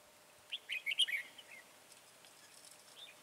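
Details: Red-whiskered bulbul during decoy trapping on 22 January 2018: one quick burst of bubbly whistled notes, then only faint distant chirps.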